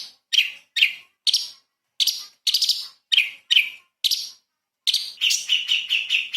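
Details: Light-vented bulbul singing 'tembakan' style as a tutor for magpie-robins. Separate harsh chirps lead into a fast, rattling run of repeated notes at the end.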